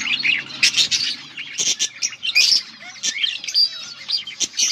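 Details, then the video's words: Colourful budgerigars give loud, rapid chirps and squeaky warbles, closely overlapping in a lively flock chatter with hardly a pause. "Beautiful budgies colour budgies chirping sounds"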